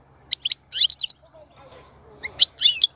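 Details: European goldfinch song meant to stimulate a female to mate and breed: short bursts of high, tinkling, twittering notes with silent gaps between.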